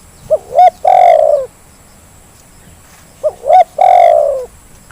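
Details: Lure recording of a spotted dove, used to prompt lazy doves into calling: two loud, distorted phrases about three seconds apart, each a pair of short hooting notes leading into one drawn-out husky coo.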